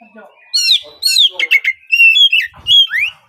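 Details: Young spotted Oriental magpie-robin (kacer trotol) singing continuously in a lure recording for morning singing. Loud looping whistles mix with buzzy notes and rising slurs, and a brief low knock is heard near the end.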